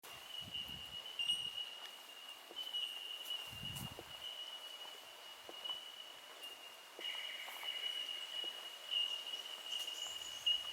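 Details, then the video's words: A chorus of Bell Miners, unseen in Australian eucalyptus forest, gives a steady, high, ringing tink almost without a break. Another bird chatters lower later, with soft footsteps and thumps below. "listen to the sound of these Bell Birds"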